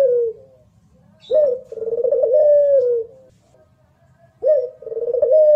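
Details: Barbary dove of the puter pelung competition style repeats its coo, a quick rising note then a long trembling phrase falling at the end, about every three seconds, with low background hum.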